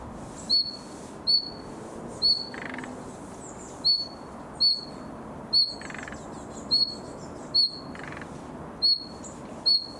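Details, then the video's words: Juvenile common nightingale working on its song in summer: brief, piercing high whistles repeated at fairly even gaps, with a few scratchy buzzes and thin twittering between them. "Пение летнего соловья. Малыш старается"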